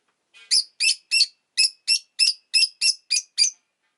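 Rosy-faced lovebird giving a fast run of about eleven shrill, harsh chirps, roughly three per second, high-pitched and buzzy, with no other sounds.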